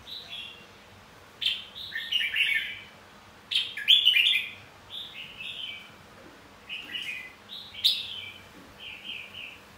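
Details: Red-whiskered bulbul fighting song, used to train the voice and stir other bulbuls into competitive singing: short warbled, chortling phrases that bounce between high and mid pitch, delivered in bursts with brief pauses, over a quiet low hum.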